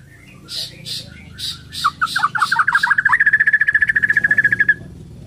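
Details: Bornean white-rumped shama at dawn pours out quick stuttering notes that speed into a rapid even rattle of whistled pips. Soft broad hissing bursts come first.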